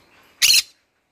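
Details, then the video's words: Pet green-cheeked conure calling in the morning, a single harsh, broadband squawk about a third of a second long, then silence. "green conure singing in the morning"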